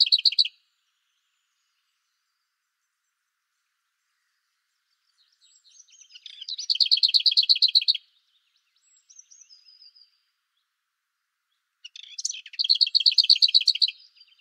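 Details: Lesser whitethroat (Sylvia curruca) singing: a soft, scratchy warble that breaks into a loud, dry rattle of fast notes on one pitch, repeated every six seconds.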